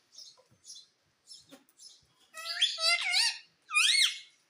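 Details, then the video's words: Household talking parrot: faint soft chirps first, then two loud, grating, harmonic squawks with bending pitch. "Mummy Bolta Tota _ Parrot Speaking mummy mummy _ Talking Parrot"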